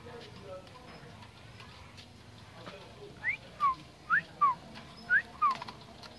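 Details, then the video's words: Common myna singing during Tết 2018: after about three seconds of quiet background hiss, six short clear whistles come in pairs. Each pair is a rising whistle followed by a falling one, spaced roughly half a second apart. "Tiếng hót chim Cưỡng"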